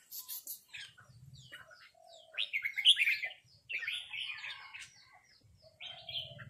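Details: Red-whiskered bulbuls trading harsh chattering rik calls, a bird answering a resident territorial bulbul; bursts of buzzy, scratchy notes crowd together in quick overlapping runs, with a low rumble beneath.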